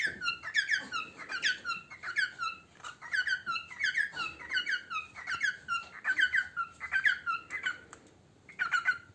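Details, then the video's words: Singing pet parrot while eating: repeated clusters of clear, descending whistled notes in an uneven chattering rhythm, pausing near the end before one last note. "Chu singing while eating"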